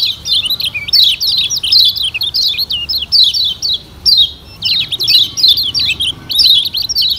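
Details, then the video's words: Lure recording of a Lombok yellow white-eye (kecial kuning), played to make birds sing: rapid, high twittering song with bursts of quick sweeping chirps repeated almost without pause over a faint room hum. "Pancingan Kecial Kuning Paling Ampuh Bikin Kecial Gacor Parah"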